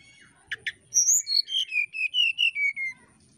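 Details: Whistled 'nyuling' song of a brown-chested jungle flycatcher provoking a rival: a pair of dry clicks followed by a cascade of roughly ten pure notes sliding downward in pitch, each evenly spaced, over faint low background noise.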